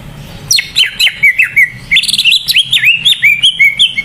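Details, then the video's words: Lively greater green leafbird song meant to stir other leafbirds to sing: rich, varied whistled phrases with swooping, bending notes, a brief pause, then a second faster burst of looping whistles. "Suara cucak ijo gacor buat pancingan burung cucak ijo yang kurang gacor"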